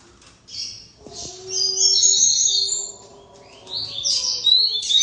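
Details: High, fast twittering seedeater song with buzzy trills and slurred notes, while a steady low tone hums in the background.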